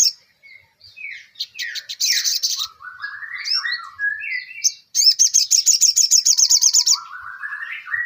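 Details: Ruby-cheeked sunbird singing energetically: varied high twitters and short descending whistles, a dense buzzy trill in the middle, then a rapid rattling series of high notes and rising whistled slurs at the end.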